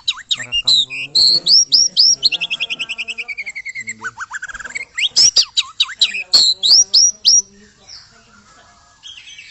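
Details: White-rumped shama singing aggressively to push other birds to sing: loud curling whistles, a long descending rattle of rapid notes, then more sharp slurred phrases and looping whistles.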